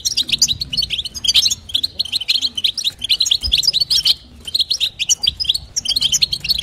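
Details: European goldfinch hen calling to stir the male, in bitbita and sitsita style: runs of high tinkling twitter with a short gap near four seconds, then the chatter resumes; a faint low hum persists.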